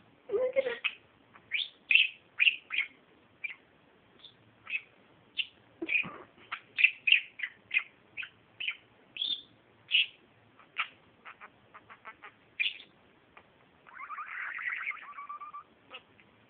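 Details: A pet male blue budgerigar, acting excited beside a green companion budgie, makes rapid, smacking kiss-like clicks that his owner taught him, plus sharp chirps, ending in a buzzy warble.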